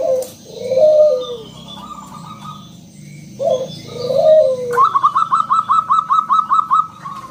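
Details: Zebra dove of local stock sings to prompt other doves: two low rolling coos with falling endings, followed by a rapid run of about a dozen quick, evenly spaced higher notes.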